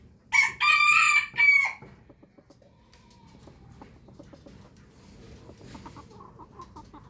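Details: Rooster in the morning giving a short, piercing crow in two high bursts, then quiet with faint clucking and low background murmurs.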